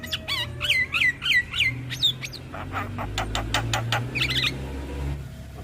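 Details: Lure song of a Javan myna for mynas gone quiet: a run of looping whistled notes, then harsh rapid clicking rasps and a brief warbled flourish.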